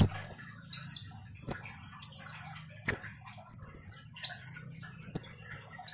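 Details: Konin sunbird, used as a lure for a silent kolibri ninja: thin very high whistled notes and rising lower slurs, spaced about a second apart, with a brief rapid twitter midway.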